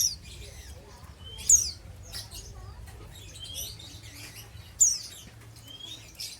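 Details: Untrained oriental white-eye, a bird in its ngeriwik chattering style, giving a few sharp, high, downslurred chirps spaced about three seconds apart, with softer faint twitters between and a low background hum.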